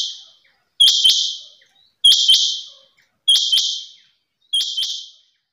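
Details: Female rain quail repeating a crisp, high double note with a buzzy tail, four times at an even rhythm of about 1.25 seconds, with nothing else audible.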